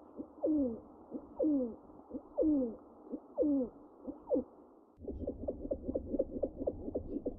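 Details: Downward-slurred pigeon notes repeated about once a second, followed after five seconds by a quicker train of short pulsed sounds.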